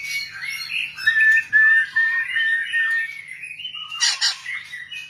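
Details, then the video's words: White-rumped shama singing clear whistled phrases, including a held steady whistle, followed by a loud harsh burst and more sweeping notes, over a quiet hum. "burung murai ekor panjang"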